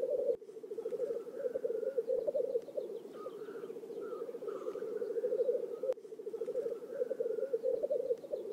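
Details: A group of black grouse at their spring lek in a Finnish swamp near Oulu, 5 May 2022. They keep up an unbroken, pulsing bubbling roll, with short mid-pitched sneezing hisses above it around the middle.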